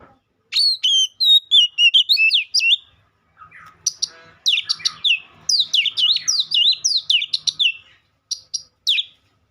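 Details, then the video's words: Oriental magpie-robin singing a rapid, varied run of sharp whistled and buzzy notes that rise and fall, about three or four per second, with a short pause midway before the song resumes with another chattering burst. "Dengar kicauan Kacer satu ini dijamin langsung nyaut Kacer manapun"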